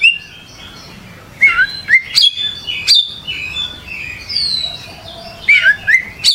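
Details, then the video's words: Oriental magpie-robin (kacer) in gacor song: a soft, sparse opening, then clear whistled slurs and sharp high notes in short spaced phrases. "Suara Burung Kacer Gacor"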